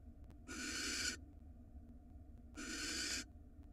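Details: Female barn owl in Israel, handed a rat by her mate, produces two separate harsh hiss-screeches about two seconds apart, captured on a nest box camera.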